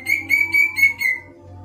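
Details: Greater green leafbird singing five steady, ringing whistled notes in quick succession, evenly spaced and slightly falling at the end, followed by a low background hum.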